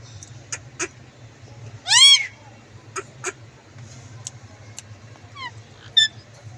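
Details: Green parrot with one loud, arching squawk, followed by scattered clicks and a couple of small, high chirps.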